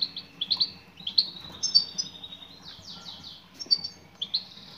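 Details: Female European goldfinch calling to a male: bright, high chirps about every half second, running into a rapid, slightly buzzy twittering sequence before more separate tweets.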